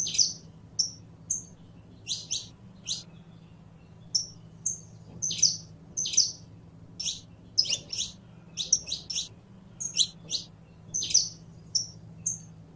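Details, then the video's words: Canario criollo, or saffron finch, singing a long run of rapid high chirps and short whistled notes, steady and lively throughout, with a low background hum. "CANTO DE CANARIO CRIOLLO CANTANDO"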